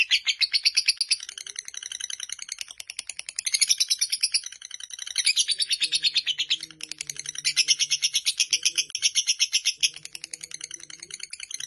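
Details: Fighter lovebird in a long chattering song: a fast, continuous stream of harsh, high, scratchy notes, about three per second, rising and falling in loudness, with faint low murmurs underneath.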